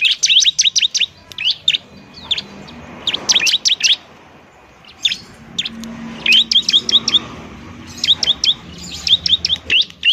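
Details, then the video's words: Bar-winged prinia singing noisily, played to coax reluctant prinias into song. Bursts of fast, sharp, high chirping notes separated by pauses of about a second, with faint background hum. "CIBLEK RIBUT untuk terapi ciblek semi malas bunyi"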